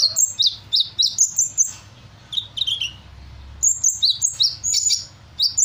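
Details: Vigorous sunbird song imitating assorted bird calls, with rapid bursts of high, sharp chirps and slurred falling whistles, a brief pause midway, then more quick chirping phrases; a faint low hum underneath.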